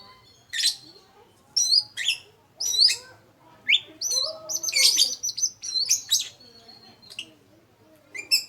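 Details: Oriental magpie-robin, kendit or poci type, singing busily in the ngeplong style as a lure song: rapid varied whistles, sweeps and harsh chirps in short phrases about every second, some notes rising and falling.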